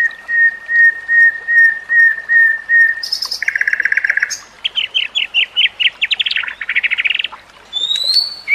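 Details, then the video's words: White-rumped shama singing a training song for caged shamas: a long steady whistle of repeated even notes, then a buzzy trill, a fast run of rising chirps, and a high upward-sliding whistle to close. "Masteran Murai Batu: Teknik Terbaru untuk Meningkatkan Gaya Berkicau"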